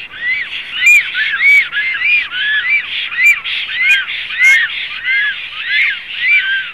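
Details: Black stork calling at the nest in Zemgale, Latvia, 7 April 2016: a continuous series of rising-then-falling whistled notes, roughly one and a half per second, with a few sharp high clicks between them.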